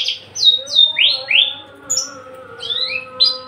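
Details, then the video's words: Tame, feisty male Javan bush lark, unringed, sings clear whistled notes that swoop down and then up in quick succession, over steady low humming tones. "branjangan javanica MH nonring jinak galak siap jadi pejantan gacor dor"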